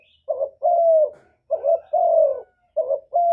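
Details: Low coos of a spotted dove, used to make other doves answer: short note then a long level tone, three phrases in quick succession, with a faint high chirp at the start.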